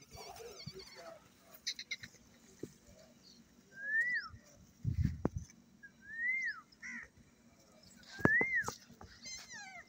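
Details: Green parrots, a male, a female and a baby, happy in the morning: clear rising-then-falling whistles repeated every two to four seconds, with short chirps, a low thump and steady background hum.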